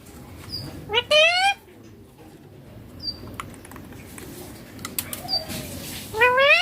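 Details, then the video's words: Pet green Indian ringneck parakeet, said to talk and say papa and mummy; two loud, bright harmonic rising-falling phrases near the start and end, with small high chirps and a quiet room between them. "Ringneck green parrot loving papa mummy bolne wala"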